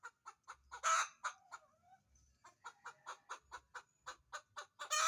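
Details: Domestic hen searching for a place to lay an egg: a steady run of short, sharp clucks, about four per second, broken by a loud, harsh, drawn-out squawk near the start and another at the end.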